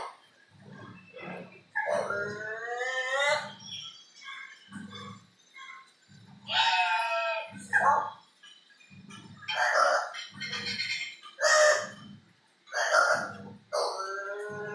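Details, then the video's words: A crow experimenting with new sounds, imitating noises picked up near a window; repeated harmonic, bleating-like wavering phrases with noisy raspy bursts come in several spurts, mixed with low thumping background noise. "Crow talking/imitating strange noises"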